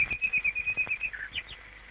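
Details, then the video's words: Territorial song of a Common Nightingale from European scrub and countryside: a fast run of about eight identical pulsed notes, then lower slurred whistles and two rising upturned notes, all over faint hiss. "Pero antes, vamos a solazarnos un poco con el canto del ruiseñor."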